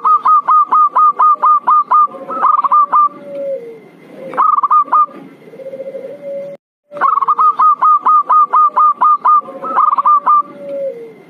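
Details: Zebra dove lure call for coaxing birds down: fast strings of clipped, ringing coo notes repeated in bursts, each run trailing into a softer rolling trill, with one short silent break.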